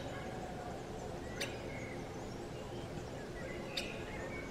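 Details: Two sharp, short 'kik' notes from a Syrian woodpecker (Dendrocopos syriacus), about two seconds apart, recorded 20 June 2019, over a steady low hiss and rumble with faint distant chirps.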